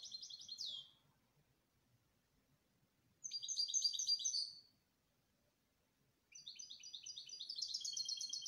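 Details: Canary delivering three separate song phrases, each a quick rolling trill of high chirps lasting one to two seconds, separated by silent pauses, the last phrase longer and louder.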